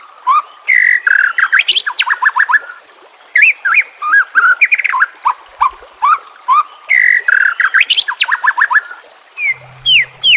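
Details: Murai batu, the white-rumped shama, singing a combination filler song for training captive birds: rapid bursts of sharp whistles, downward sweeps and chattering notes in repeated phrases, with brief gaps.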